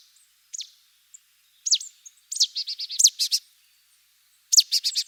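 A marsh tit gives sharp, high, down-slurred notes, then quick runs of five or six bright repeated notes, with short pauses between bursts.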